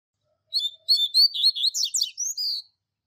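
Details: Double-collared seedeater singing the classic Tui Tui Zel Zel teaching song for training young birds: about two seconds of rapid high whistled and chirped notes, steady then tumbling, ending on a held whistle.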